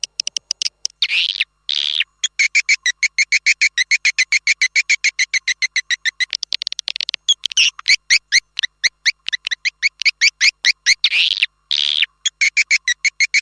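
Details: Swiftlet house lure sound, Manuk Ireng 01: a steady, fast train of evenly spaced clicking pulses, about six per second, with brief rasping squeals near the start and end.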